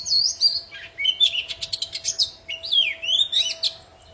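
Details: Lively poci magpie-robin song used to stir silent birds into singing: continuous varied phrases of rapid buzzy chips and rising and falling whistles, with a faint steady hum underneath.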